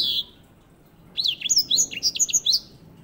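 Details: White-rumped seedeater (grey singing finch) used as a master song bird for training canaries: a short burst of high, quick, zigzagging whistled notes in the second half, after one brief high note at the start.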